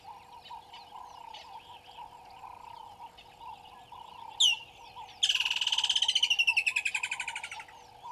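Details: Gowrie dam waterhole in Djuma Game Reserve, Sabi Sand Wildtuin, South Africa, with waterbucks present, morning of 25 December 2021: a water thick-knee gives one sharp whistle, then a loud run of about eighteen quick piping notes, slowly falling and fading. A steady low chorus hums underneath.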